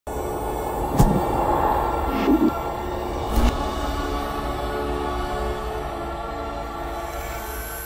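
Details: Dark ambient music drone with a few short thumps and swells near the start, then a fading sustained hum; no animal calls.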